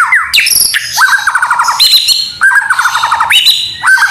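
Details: A White-rumped shama sings loud, varied phrases including canary imitations: fast canary-like trills slurring down, bright rising whistles, and thin high notes, repeated almost without pause.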